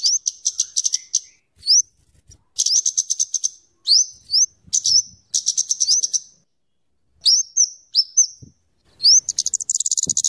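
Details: Scarlet-headed flowerpecker singing, a voice valued for tutoring with fast crecetan chatter and tembakan shots. Dense runs of piercing high ticks alternate with rising whistled slurs, grouped in bursts separated by short silences.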